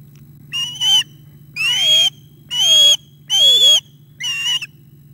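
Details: Osprey at the nest, fish delivery with a young bird attacking its father, 9 August 2021, 11:37 am; five strident whistled calls roughly one per second, several sliding down at the end, over a faint hum.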